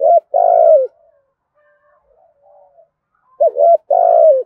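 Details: Spotted dove (cu gáy) cooing in the 'thổ gù thúc' style, played to lure wild doves into calling back. It gives loud, low, hollow coos: a short note then a long falling one, a pause, then a quick double note and another long coo.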